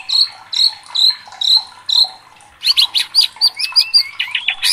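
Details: Agitated white-rumped shama, a competition songbird, singing: a run of four sharp whistled notes repeated about every half second, then a fast varied phrase of rising and falling whistles and chips.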